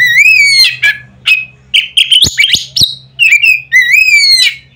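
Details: Oriental magpie-robin in loud, nearly continuous song meant to provoke other magpie-robins: rich rising whistles alternate with sharp clicks and buzzy notes, with a faint hum beneath.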